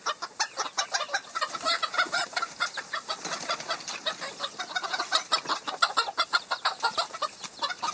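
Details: Flock of chickens described as in the wild, many birds clucking at once in quick, sharp, closely packed notes that run continuously across the whole stretch.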